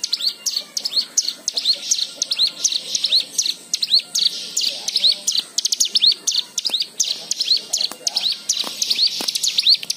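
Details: Sustained white-eye song used as a singing prompt for other birds: rapid, high, squeaky arched chirps in lively bursts, with barely any gaps over ten seconds.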